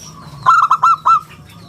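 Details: One short phrase from a local zebra dove with a clear, round voice used to lure and tutor other birds: five clipped, ringing hoots in quick succession over a faint hum.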